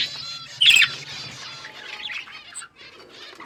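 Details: Budgerigars in an outdoor aviary flock, softer background twittering with one louder sharp chirp burst early on and a faint low hum underneath.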